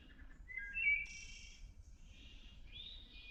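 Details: Wood Thrush singing beside the Appalachian Trail on day 98 of a thru-hike, identified with Merlin: one phrase of soft low notes, a clear fluted whistle, then a high buzzy trill, over faint low rumble.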